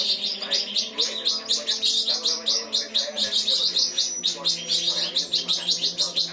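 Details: Cucak cungkok singing 'kinoi' material: a fast, dense series of high, sharp chirps, roughly twice a second, with a faint low hum underneath.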